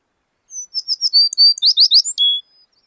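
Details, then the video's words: American tree sparrow song: a high thin whistled opening note, then a quick run of sweet chipping and slurred notes that quickens into a jumbled warble, closing on a lower drawn-out whistle. The background is quiet. "American Tree Sparrow"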